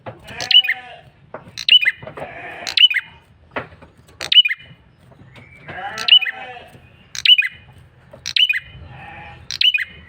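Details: A male prinia, red-headed type, repeats an insistent lure call of sharp, high chirps with twisting tails, nearly once a second, interrupted by nasal, bleat-like tones between phrases.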